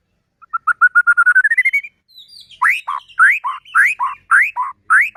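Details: White-rumped shama singing to stir other shamas into song and agitation: an accelerating series of rising whistled notes, then loud upward-swept whistles alternating with lower notes, repeated about every half second.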